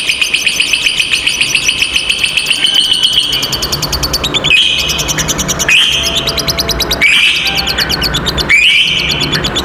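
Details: Pair of lovebirds in long ngekek song, a tutoring recording for young or silent lovebirds: a fast, high, metallic rattling trill sustained for several seconds, then broken by sharp rising chirps repeated roughly every one to two seconds.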